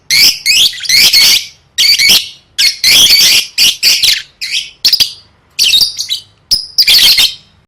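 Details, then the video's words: Lovebird practising competition song: loud strings of shrill, scratchy chirps and squeals in quick bursts, with a few thin high whistled notes near the end. "Suara Burung Lovebird III Latihan Gacor Gantang Siap Juara"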